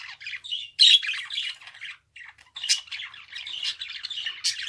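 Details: Budgerigar warbling with a loud squawk near the start, then rapid raspy chatter, a brief pause in the middle, and further bursts of squeaky notes.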